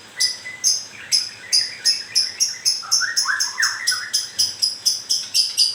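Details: Moulting white-rumped shama giving grewek sounds: a fast run of sharp harsh ticks, about four per second, steady throughout, with low fluttering whistled notes woven underneath midway.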